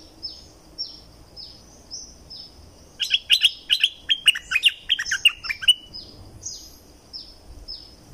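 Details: From southern Thailand, a streak-eared bulbul sings a lively three-second burst of quick, bubbly notes amid a background of repeated high thin calls from another bird.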